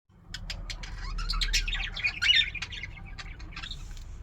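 Budgerigars chatter in quick, scratchy chirps and warbles, with a steady low hum underneath.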